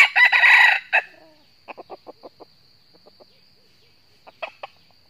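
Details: Challenge crow of a wild northern Vietnamese red junglefowl answering a trapper's decoy. It opens with a loud, rough crow of about one second, followed by a string of short, quiet clucks spaced irregularly.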